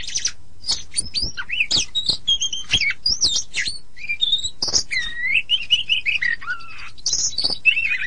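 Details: Oriental magpie-robin master song used to train songbirds to sing. A rich, varied medley of sweet rising and falling whistles mixed with harsh scratchy notes, delivered in rapid succession without pause.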